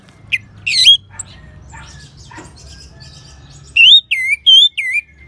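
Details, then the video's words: Orange-headed thrush song used to prompt other songbirds to sing, from Singaraja, Bali: a short high burst and quiet twitter, then a run of four loud wavy whistled notes in quick succession. "ANIS MERAH SAUARANYA MANTAP 99% SEBAGAI MASTERAN DAN PANCINGAN BURUNG NGEPLONG"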